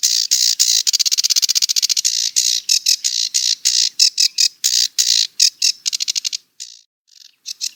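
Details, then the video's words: Rapid, rasping rattle from a sedge warbler that breaks into choppier, separated scratchy notes and short squeaky phrases before ending in a few scattered chips. "Sedge Warbler - Songs"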